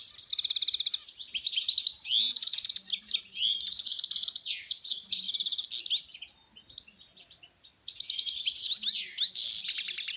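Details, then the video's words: A goldfinch × canary hybrid sings a long, rapid medley of bright twittering, trills and buzzy notes, high and varied, with a brief pause near the end. "Щегол канарейка goldfinch canary"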